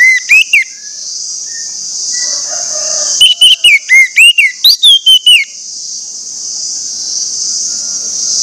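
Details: Orange-headed thrush lure song for prompting other thrushes to sing: a few whistled notes, then a rapid run of about ten loud, slurred whistles, over a steady high insect-like hiss.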